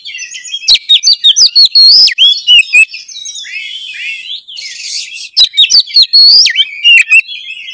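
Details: White-rumped shama singing vigorously, used to coax silent shamas into song; quick series of loud ticks leads into sweet, swooping whistles, a harsh rasping note midway, then another burst of clicks and whistles.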